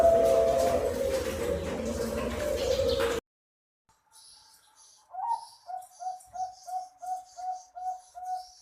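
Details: Master recording of zebra dove song for birds that seldom sing: loud, noisy cooing at first, a short silence, then a quick run of crisp, evenly spaced coo notes joined by faint high chirps.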